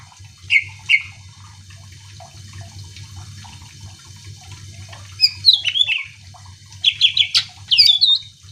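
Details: Greater green leafbird song used to provoke other birds: two short whistled notes, a long quiet gap with low hum and faint chatter, then a busy burst of high twisting whistles and chips.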